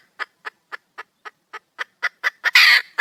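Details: Wild red junglefowl hen calling for a mate: short clucking notes that speed up and grow louder, ending in a long, harsh, screeching squawk followed by one more cluck.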